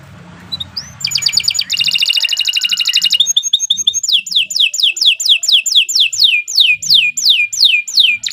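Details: Long, lively canary song meant as a master for teaching young birds: fast buzzy trills and a dense rattle, then a steady series of clear downward-sweeping whistles repeated roughly twice a second.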